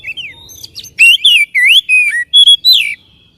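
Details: A white-rumped shama sings to stir a caged bird into song and tail spreading: a short phrase of loud, slurred whistles that swoop up and down, with a few thin, high notes mixed in.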